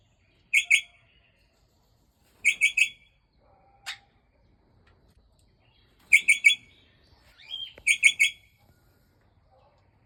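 Port Lincoln parrot giving short bursts of two or three sharp, ringing notes, repeated every couple of seconds, with a single higher squeak between bursts.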